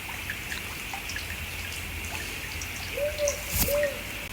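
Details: A Powerful Owl recorded in the Southern Highlands of New South Wales, Australia, gives two soft, low hooting notes about half a second apart, over a steady high hiss and a sharp click.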